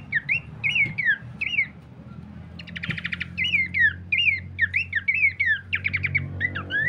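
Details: Babbler (pelanduk semak) recording used as a lure and master song for training birds: repeated short, clear downslurred whistled notes, with a burst of rapid buzzy notes near the middle, over a steady low hum.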